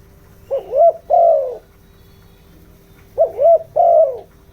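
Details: Decoy spotted dove cooing in the 'giọng đồng' voice to excite wild doves and decoy birds. Two phrases, each a quick rising coo then a drawn-out falling note, about three seconds apart, over a faint hum.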